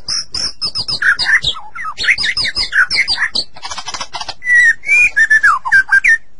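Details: Captive White-rumped shama song for stimulating other shamas, full of high scratchy notes and quick varied phrases, with a hiss of dense chatter before clear whistled notes that sweep up and down.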